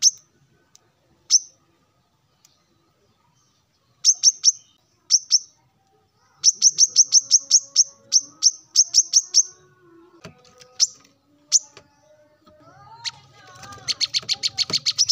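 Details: Male plain-throated sunbird in the morning, calling rivals: scattered single high chips build into a fast run of sharp notes, followed by other mixed chirps and a faint lower buzzing near the end.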